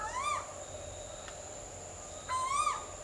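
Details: Asian koel calling: two rising, whistled notes about two seconds apart, each climbing and ending abruptly, over a steady hum in the background.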